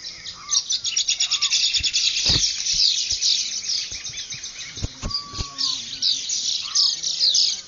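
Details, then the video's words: Birds singing together at sunrise in the llanos of Barinas, Venezuela, February 2009: a dense, continuous wash of high rapid chirping, with occasional clear lower whistles, one long level note near the middle, and a few soft thuds. "Canto de aves en un Amanecer en Barinas: Él llano Venezolano"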